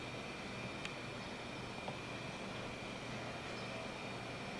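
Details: Steady background hum and broadband noise with a couple of faint clicks, and no animal voices.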